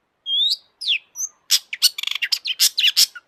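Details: Long-tailed shrike song meant as a lure for other shrikes, mixing imitations of other birds: it opens with a long whistled note and two rising slurs, then breaks into a fast run of harsh, scratchy, high chirps.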